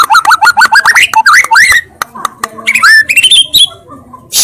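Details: White-rumped shama pouring out quick repeated whistled notes that climb in pitch, broken by clicks, then a higher series of rising slurs before fading.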